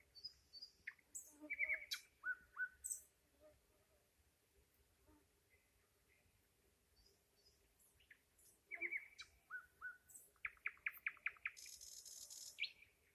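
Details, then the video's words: A nightingale sings in bursts: whistled and piping notes, a quiet gap of several seconds, then a fresh phrase of sharp chirps and fast repeated notes ending in a broad buzzing rattle. "Ласкающая слух песня соловья"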